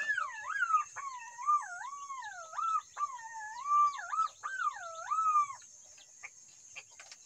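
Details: Green pigeon calling in a series of four mellow, wavering whistles, each about a second long, rising and falling in a wavy pattern with short pauses between them. A few faint clicks follow near the end.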